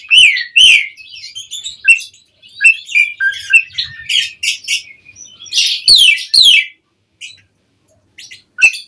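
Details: Asian pied starling in mompa (puffed-up) singing, a lure recording meant to set other songbirds answering: varied bright chirps and rising whistles with harsh buzzy bursts, a short pause near the end before a final sharp note.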